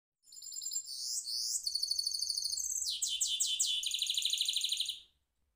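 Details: Caged goldfinch mule singing a rolling song: high, bright phrases of rapid repeated notes, sliding whistles in the first half, then a steady fast trill of descending chirps, about four and a half seconds of continuous singing.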